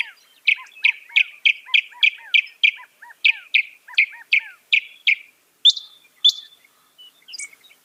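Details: Song of a northern mockingbird, known for mimicking up to 200 sounds: a quick run of sharp down-slurred chips about three per second, a pause, more chips, then a few varied whistled notes to close.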